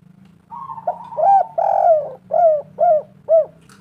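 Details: Local spotted dove in full, vigorous song. A soft lead-in note and a long mellow coo are followed by a run of three short arched coos about half a second apart, over a steady low hum.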